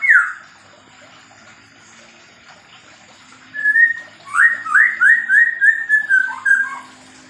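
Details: White-rumped shama of the Medan type, kept in a small aviary during pairing, sings a string of about eight loud, clear whistled notes, each sliding down, in a quick even run after one opening note and a quiet pause.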